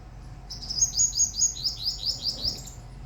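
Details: Small black sparrow with glossy wings delivering a bright, rapid series of about eight high, sharply down-slurred whistled notes, evenly spaced and clear above a low background hum.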